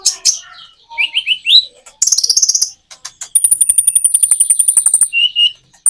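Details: Common iora song paced with natural pauses to stimulate other birds. Chirps and rising whistles lead into a buzzy high burst, then a long, even trill of rapidly repeated high notes, ending in a short whistle.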